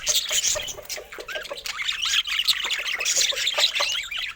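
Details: Pet budgerigars in varied colour mutations warble and squawk in a busy, unbroken flock chatter of short high chirps and scratchy trills layered over one another.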